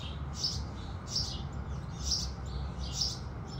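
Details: House sparrows singing at sunrise: four bright, high chirps spaced roughly a second apart over a steady low rumble.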